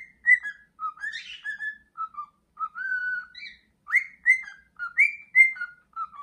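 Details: Singing male pet cockatiel, wings held out in an excited pose: short tonal whistles that rise, fall and hold steady, delivered in a quick irregular series with one scratchy burst early on and a sharp upward-swept note near the middle.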